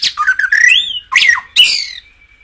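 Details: Caged White-rumped shama song, used to stimulate other caged birds into fiery singing: loud whistled phrases with rising and falling slurred notes, a buzzy burst, and a thin high note trailing off.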